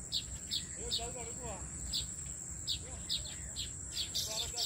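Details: Nest-building weaver birds in a farmhouse tree give scattered sharp high chirps and a few lower slurred notes, over a constant thin insect-like whine.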